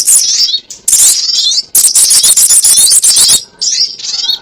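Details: Sogon bird trapping lure: dense, high, sharp chattering notes in long rapid runs, mixed with squeaky twisting whistles and short pauses.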